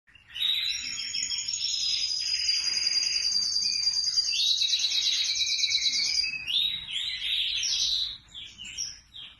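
A red factor canary sings a long, continuous high song of rapid trills and rolling tours, with a sustained buzzy trill in the middle before quieter chirps.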